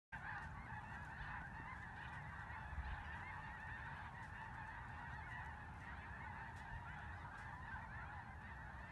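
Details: Snow geese in Vigo County, a large flock giving continuous overlapping nasal honks and yelps, a dense steady chorus with no pause, low rumbling background noise underneath.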